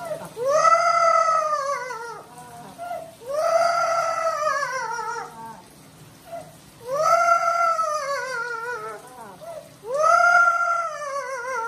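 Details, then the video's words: Amazon parrot kept as a pet, crying in protest at being bathed: loud, rich, wavering wails about two seconds long, repeated roughly every three to four seconds, each rising sharply then slowly sagging, in a quiet indoor room. "Loro llorando porque no quiere bañarse"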